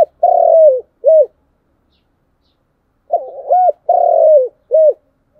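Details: Spotted dove cooing in the styles locally called chiêu and thúc: two low, hollow phrases about three seconds apart, each a short note, a long drawn-out coo falling at the end, then a clipped final coo; otherwise quiet.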